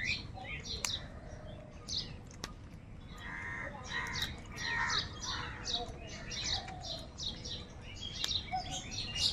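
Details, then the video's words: A large flock of crows fighting for food; harsh, layered caws cluster mid-clip between three and five seconds, overlapping a steady background of high, thin chirping from many small birds. "Huge numbers of crows crowing and crying sounds | crow sound of kaka | কাকের ডাক Crow sounds"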